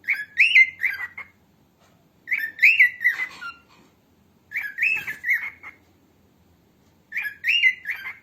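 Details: Female cockatiel calls for training cockatiels, in four phrases of looping, warbled double chirps about two seconds apart. The room is otherwise quiet.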